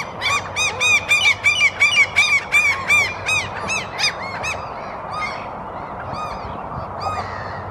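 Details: Lesser black-backed gull pair scavenging on a lawn in Helsinki, Finland, April 2022, vocalizing softly; a quick run of about a dozen sharp, nasal, downslurred calls, then fainter scattered calls, with Common and Black-headed Gulls in the background.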